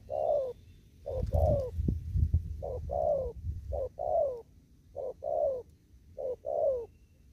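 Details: Spotted dove out in an upland field in Kon Tum, 'thúc gù' fast cooing: six rhythmic pairs of soft hollow notes, short then long and arched, about one per second, with thumping handling noise early on.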